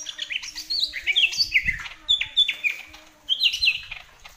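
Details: Greater green leafbird in full song: varied, sharp whistled and warbled phrases jumping between high and mid pitches, delivered in quick bursts with brief pauses, clean background.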